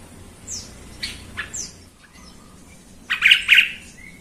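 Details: Lure recording of a yellow-vented bulbul used to provoke rival bulbuls to sing: scattered thin descending chirps first, then a loud bubbly burst of rich warbled notes near the end.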